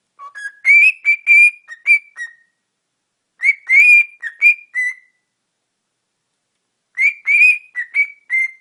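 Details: A cockatiel, showing off to a front-facing camera, whistles a clear, tuneful phrase of rising and sliding notes, repeated three times.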